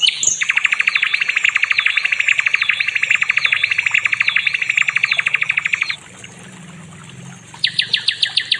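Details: Nightingale (sikatan londo) in a training recording for songbirds: a long, steady, rapid rattling trill with high looping notes above it for six seconds, a short pause, then a renewed fast trill.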